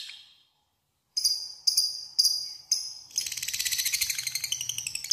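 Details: Lovebird ngekek lure to draw a rival: a brief high chatter, silence, four sharp, ringing chips, then a rapid, scratchy chattering trill to the end.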